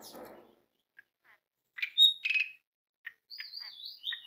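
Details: Asian pied starling (Gracupica contra) giving a quick mix of harsh, chattering notes and clear high whistles, some sliding downward, after a brief rustling noise. The call is used as a lure to get other pied starlings singing.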